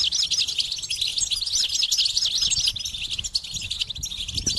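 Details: A goldfinch pours out a fast, tinkling twitter of rising and falling high notes, repeated in quick succession with hardly a pause.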